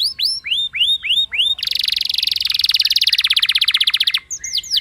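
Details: Canary singing as a lure to get other canaries singing: six arching whistled notes, then a long dense buzzy rolling trill for over two seconds, ending with a few sharp sweeping notes.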